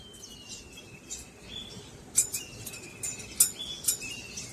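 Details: Peach-faced lovebirds in a cage setup, recorded with a mic: thin, high chirps and short sliding whistled notes come at irregular intervals, mixed with sharp clicks and a faint low background rumble.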